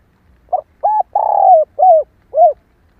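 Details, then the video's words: Female spotted dove call used to excite male doves: a single five-note cooing phrase of a short hoot, a steady coo, a long purring coo, then two arched, falling notes. Calm, quiet surroundings. "Tiếng cu mái kích bổi nhanh nổi hiệu quả nhất"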